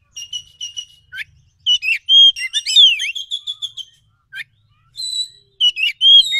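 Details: Wild forest Oriental magpie-robin singing, used as a lure to draw a fast, emotional response: busy, varied phrases mixing sharp chirps, steady whistled notes and quick down-slurred sweeps, tumbling almost continuously with brief pauses.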